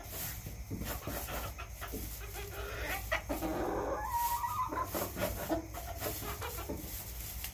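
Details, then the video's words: Backyard chickens clucking in soft, repeated short notes with a brief drawn-out tonal call midway, over steady low rumble and hiss. "CHICKENS CLUCKING ASMR"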